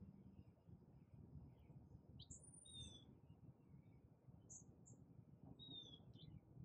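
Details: Hummingbird at a feeder, recorded in the morning on an iPhone 11 set on a tripod: a few thin, very high chips and short squeaky notes in brief bursts over a steady low hum of background noise.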